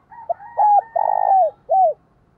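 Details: A spotted dove answering a decoy bird, cooing a phrase of short notes, a long throbbing coo that falls away and a rounded final note, over a faint steady higher hum from another caller.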